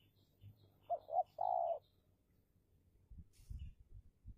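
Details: Spotted dove in a trapping contest, with a decoy bird in a fierce bout against a wild dove: a soft, hollow three-note coo, two short notes then a longer drawn-out one, followed by low thumps and rustling.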